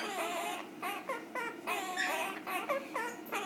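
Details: Two female pet Quaker parrots indoors, learning to count and sing a song of cockatiel names, give a run of harmonic, nasal, speech-like phrases in short bursts, with some small-room echo.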